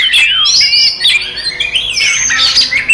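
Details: Oriental magpie-robin singing a combative song meant to make other magpie-robins agitated: rich rising and falling whistles blended with rasping, chattering notes in an unbroken flow.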